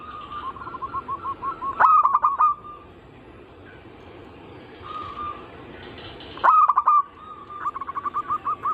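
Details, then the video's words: Zebra dove singing anggungan style, lure recording for local, Bangkok and crossbred birds: short rolling coo series, two loud stuttering bursts separated by a quiet gap, then fast repeated notes resuming at the end. "Bunyi semua jenis burung perkutut Anggungan"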